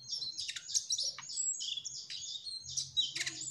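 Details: Energetic trotol-style song of a Mugimaki flycatcher, with dense high twittered phrases, quick slurred whistles and sharp chips running without pause. A soft low background hum is present.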